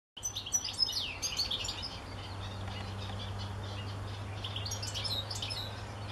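European goldfinch giving a rapid, tinkling twitter of high liquid notes and buzzy trills, with a low steady hum underneath.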